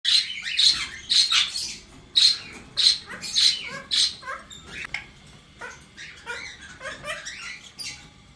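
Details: Two male sibling cockatiels with their chicks, sitting in sunlight, give sharp, bright chirps and squawks, about two a second at first, then softer chattering calls fade out.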